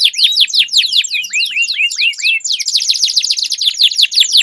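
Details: Canaries in a singing duel with long rolling song: rapid series of downward-sweeping whistled notes, slowing into separate curved slurs, then a fast dense buzzy trill taking over after about two and a half seconds.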